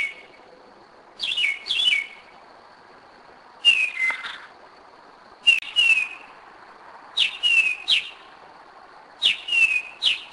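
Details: Northern mockingbird at 2am in Kennesaw, Georgia, 2011, giving paired downslurred whistles, each pair repeated every couple of seconds against a near-silent night.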